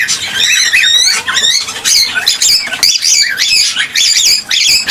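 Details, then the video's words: Cockatiel song intended to prompt mating and breeding: busy, overlapping whistled warbles and zigzagging chirps, fast and almost continuous, with brief dips in loudness between phrases. "صوت لتحفيز الكوكتيل على التزاوج والانتاج"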